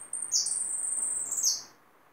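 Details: Captured hooded siskin delivers a continuous, very high, sweet twittering warble of rapid slurred notes for about one and a half seconds, fading out into near silence.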